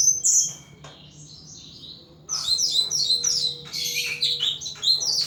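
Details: Pet thrush in a cage pouring out continuous song: a loud high chirp, a quieter stretch, then dense, fast runs of sharp twittering and mimicked-sounding notes, very high-pitched and varied.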